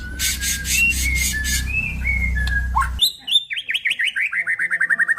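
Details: Male white-rumped shama of crossbred F-series stock: buzzy pulsed notes over low background hum, a run of short whistled slurs, then a rapid series of sharp descending chirps repeated about four per second.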